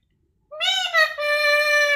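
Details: Pet parrot talking at home: after half a second of silence, a loud voiced, harmonic utterance, slightly wavering and then held steady, like a drawn-out spoken word or meow-like sound.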